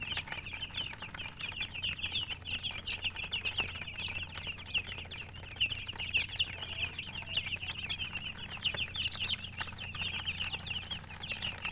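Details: Nonstop high-pitched peeping from many colored chickens: a steady carpet of brief, sharp chirps lasting about twelve seconds, with occasional louder peeps and faint clicks and knocks behind.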